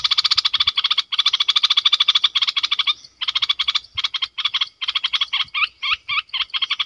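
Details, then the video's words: A bulbul, a cream-vented bulbul used as a decoy bird, gives rapid, buzzy trilled bursts of about a second each, then shorter chattering phrases with quick upward sweeps, recorded 18 December 2021; no background sound. "Suara merbah lekir"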